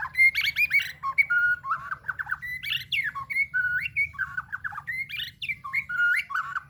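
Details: White-rumped shama searching for a rival, pouring out a continuous, energetic song of fluty whistles mixed with scratchy, squawking notes and quick slurred phrases, varied throughout.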